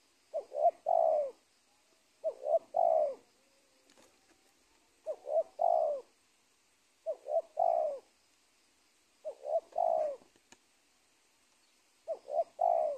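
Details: Wild spotted dove ruling a former cornfield near teak trees, later captured, cooing steadily: six phrases, each two short notes and a longer falling coo, spaced roughly two seconds apart in quiet surroundings.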